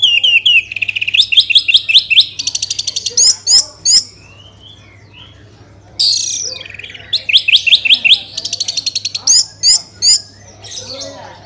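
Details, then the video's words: Lure recording of an orange-headed thrush singing to prompt other birds: fast strings of loud, bright repeated notes building into dense trilled bursts, a pause of a couple of seconds, then a second energetic run of sharp phrases. "Pancingan ANIS MERAH agar cepat Berkicau Gacor"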